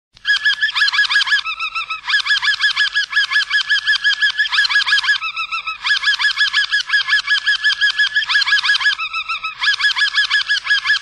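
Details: A Harz roller canary sings the "schokkel" tour: a slow, interrupted, jerky roll of tones with wide spacing between the two notes, in bursts of one to two seconds with brief pauses; nothing else heard.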